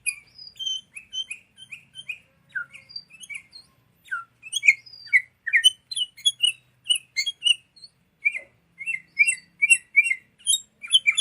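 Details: Sooty-headed bulbul song used as a lure and tutor recording for training songbirds: rapid chirpy, slurred notes repeated in quick bursts, with thin high squeaks layered above, ending in a dense run of repeated phrases.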